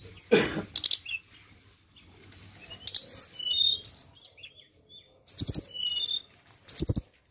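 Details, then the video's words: Flowerpecker song used to lure birds: bursts of very high, thin, sharp twittering notes and slurred whistles in clusters, separated by quiet gaps, with loud broadband clicks and a soft rushing sound at the start. "Pancingan Ampuh BURUNG TLEDEKAN"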